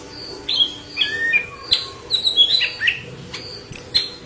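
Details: Yellow-headed leafbird, intensely singing for green leafbird tutoring, delivers short whistled slurs and sharp chirps in quick clusters, some notes sliding downward, over a quiet hum.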